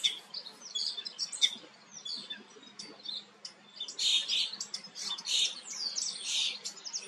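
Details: Common starling singing while preening: a varied, busy medley of short high whistles, clicks and buzzy notes, louder chattering bursts toward the end, with faint low background hum.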